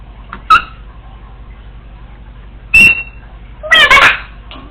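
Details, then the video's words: Female Congo African Grey parrot alone at home, practicing sounds she has learned: a sharp click, a short tonal note and a loud, harsh, raspy burst near the end, separated by quiet pauses in an indoor room. "African Grey Parrot recorded talking to herself when no one was home!"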